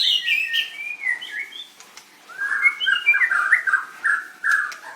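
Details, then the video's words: White-rumped shama from a bird singing contest winners' recording dated 7/25/16, dancing and singing energetically: fast run of clear whistled and slurred notes, first higher then dropping to a lower, rich warbling series with brief pauses. "Birds White-rumped shama dancing and singing like crazy till chirped sorethroat"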